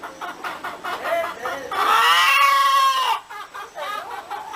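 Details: Hen cackling: short clucks repeated in quick bursts, then a loud, drawn-out, harmonic nasal note held for over a second, falling off into more rapid clucking.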